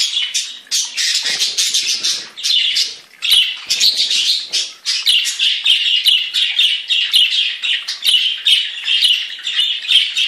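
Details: Several budgerigars of different kinds singing together, kept by a breeder: a dense, continuous chatter of scratchy warbles and short chirps, overlapping voices with almost no pauses.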